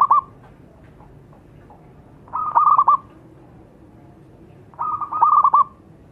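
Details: Zebra dove song meant to lure other birds into singing: short bursts of rapid, staccato coos on a single pitch, each phrase under a second, returning roughly every two and a half seconds with quiet gaps between.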